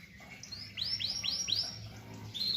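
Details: Canary song: a brief run of high arched, repeated notes, four similar swooping syllables in a row, then a thin high trill, against a faint background hiss.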